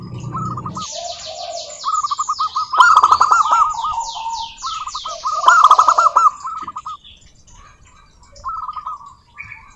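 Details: Local zebra dove singing, used as a lure to prompt other doves to sing; rolling, bubbling coo phrases repeated several times, mixed with busy high chirping and trilling from other birds.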